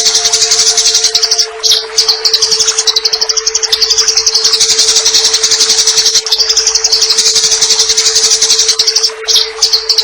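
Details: Eurasian tree sparrow singing its combative 'tarung' chatter, recorded as tutor material for cage birds, with water sound added: long unbroken stream of rapid high chirps and trills, two brief pauses, a constant low hum beneath.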